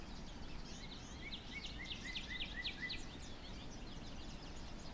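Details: Northern cardinal singing in falling snow, a quick run of short, slurred whistled notes, about four a second, over a steady low rumble of background noise.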